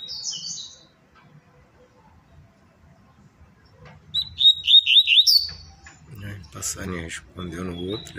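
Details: Caged double-collared seedeater singing its tui-tui zel-zel style: a brief high note at the start, then a burst of rapid, clear, slurred whistles about five per second, followed by a man talking.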